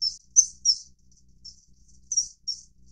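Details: Common kingfisher, Alcedo atthis, calling during mating: six short, shrill, high whistled notes in irregular bursts over three seconds, some paired closely, with silence between.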